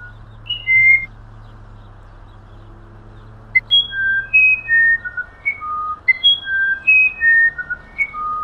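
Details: Musician wren (Cyphorhinus arada), native to Amazon humid forest, singing clear pure whistled notes at varied pitches, single notes spaced about every half second after a pause, with a low steady hum underneath.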